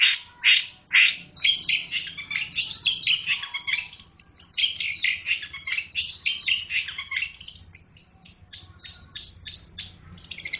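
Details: Long-tailed shrike delivering a busy, irregular stream of harsh, scratchy chattering notes and squeaky bursts, about two per second, with brief pauses between phrases.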